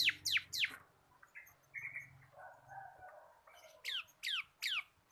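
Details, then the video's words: Bar-winged prinia, local kristal kapas caged bird, ngebren song used as a training lure: three sharp falling whistles, a quieter stretch of soft buzzy notes and low hum, then three more descending whistled sweeps. "BURUNG MASTERAN CIBLEK KRISTAL GACOR / CIBLEK LOKAL KAPAS SUARA NGEBREN"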